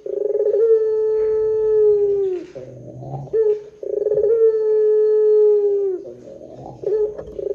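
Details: Two drawn-out coos from a Barbary dove, meant as a lure to get other doves calling. Each starts with a rough trill and holds a pure low tone for about two seconds, repeated roughly every three and a half seconds.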